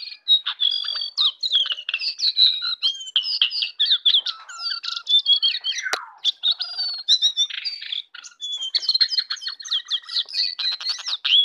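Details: Jongkangan singing in the morning: a dense, rapid chatter of high whistles, trills and buzzy notes, constantly varied and switching pitch with almost no pauses, with one louder sweeping note near the middle.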